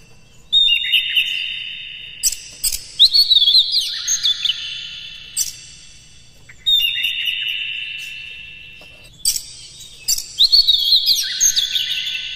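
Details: Kept Oriental magpie-robin in energetic morning song, played to lure caged birds into singing in a rough, varied style. Four rich whistled phrases, each a few seconds long, are set off by sharp clicking notes.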